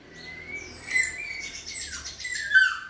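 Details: White-rumped shama (Copsychus malabaricus), song.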